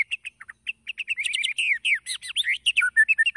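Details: White-rumped shama singing as a lure to prompt other birds to respond: a dense, fast stream of varied whistled and chirping notes, rising and falling, with hardly a pause.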